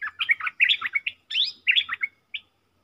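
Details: Four caged decoy bulbuls calling, recorded as sound from the real forest: rapid bursts of bright, slurred, warbling notes rising and falling in quick phrases, separated by brief pauses, with no other clear sounds.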